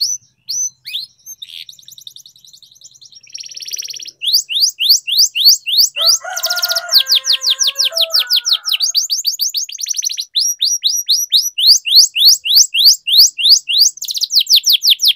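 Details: Canary delivering a long rolling training song, used as a lure for silent canaries and a master for young ones. Scattered chirps build into continuous rapid high sweeping notes, with a lower warbling phrase partway through.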